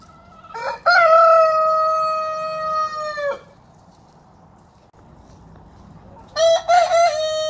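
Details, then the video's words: Rooster crowing in a long, steady, harmonic-rich drawn-out note lasting over two seconds, then a pause and the start of a second crow, over a low background hum. "Haantje krijgt kraailes van de grote Brahma man!"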